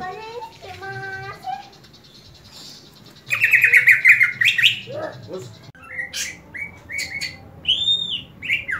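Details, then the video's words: Greater green leafbird fighting call, meant to build other leafbirds' fighting spirit: after a few lower tonal notes, loud rapid high trills and sharp chirps break in, followed by scattered clear whistled and squeaky notes. "CUCAK IJO TARUNG INI, COCOK UNTUK MELATIH MENTAL TARUNG CUCAK IJO LAIN"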